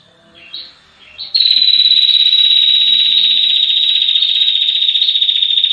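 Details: Female Rufescent Prinia used as a tutor bird, in long 'ngetir' trilling: a couple of soft short notes, then a sudden loud, rapid, buzzy trill that runs steadily to the end.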